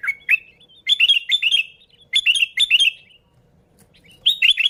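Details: Sooty-headed bulbul singing, recorded to lure bulbuls: clusters of quick, bright chirping notes in short bursts, pausing near the end before a final brief phrase.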